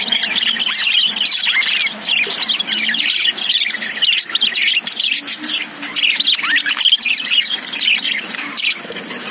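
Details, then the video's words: A cage of lovebirds produces a steady wall of high-pitched chirping and scratchy squawks, many birds calling over one another continuously. "Love birds sound"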